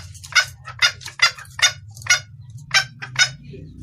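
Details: Red junglefowl female calling for the male, a clear call suited to luring males: about eight quick, harsh cackling notes, irregularly spaced, then a pause, over a faint low hum.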